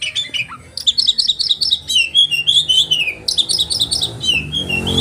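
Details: Caged oriental magpie-robin in sharp rolling song, used for training other birds: fast runs of chattering notes alternating with falling whistles, repeated in bursts.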